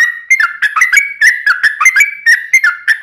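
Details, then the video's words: Yellow-vented bulbul, known locally as trucuk, singing its long ropelan song without pause, used to train cage birds and attract wild ones; warbling flute-like whistles in quick rolling phrases. "Kicau Trucuk Ropelan Panjang Ngelituk Tanpa jeda buat Masteran"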